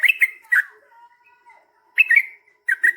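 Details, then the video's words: Yellow-vented bulbul giving lively song: short bubbly, gurgling phrases separated by quiet pauses, with a faint low whistle in between. "KICAU SUARA trucukan gacor GARUDA ROPEL PANJANG"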